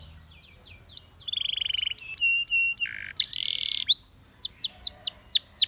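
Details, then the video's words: Training song of a Spanish Timbrado canary: rising whistled slurs, then pulsed rolls, a steady whistle, a low buzzy tone, and a closing run of sharp descending notes spaced about a quarter-second apart. "The Most Powerfull Spanish Timbrado Canary Singing"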